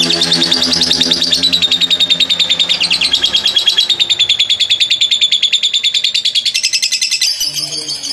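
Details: Lovebird recording used to provoke courtship and long chattering song: rapid, regular high chittering pulses about three per second, shrill and sustained, with a faint low hum underneath.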